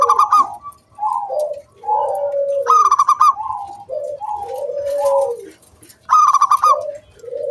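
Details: Zebra doves, local wild perkutut, calling in 'kung bulat' style to entice other doves to sing: bright rapid stuttered bursts alternate with mellow rolling lower coos, overlapping voices continuing throughout.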